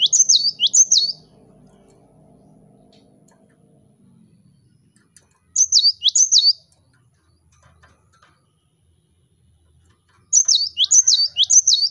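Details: Cinereous tit song used to lure rival birds into singing: three separate bursts of rapid, high whistled double notes, separated by several seconds of near silence with a faint low murmur early on.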